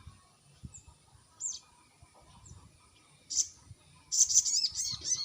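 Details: Crested jay lure call used to provoke a reply: scattered sharp, high downslurred chirps, then a dense burst of rapid, high, buzzy notes over the last second, with a steady high insect-like whine behind.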